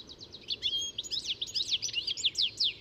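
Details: European goldfinch song: a fast, continuous stream of high, tinkling, twittering notes, each chirp sliding quickly in pitch, delivered in a lively, jumbled run with only a faint outdoor hush beneath.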